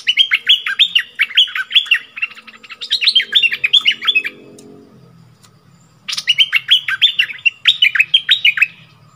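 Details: Caged decoy bulbul singing to fierce wild birds that come right to the cage, recorded 28 February 2021: rapid series of bright, arched whistled notes repeated in quick runs, a pause, then another burst of the same looping phrases.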